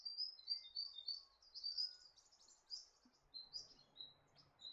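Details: Eastern spinebill, a nectar-feeding bird of heath, forest and gardens, giving quick high chirps in uneven bursts, some slurred and some clipped, over a soft rushing background hiss with a low rumble near the end.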